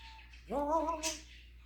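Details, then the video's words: African grey parrot imitating sounds: a single rising then level, nasal meow-like note lasting under a second, with a faint whistle before it and a short hiss after. "the African Grey, micheal jackson. snoring, doggie, kitty, rooster noise etc."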